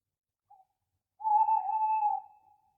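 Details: Owl at night giving a faint short note, then a long steady mid-pitched hoot that holds level for about a second before fading, in an otherwise silent background.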